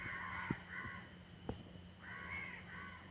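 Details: Midnight cawing from a crow: two hoarse caws, a gap broken by a sharp click, then two more grating caws. Low background hum.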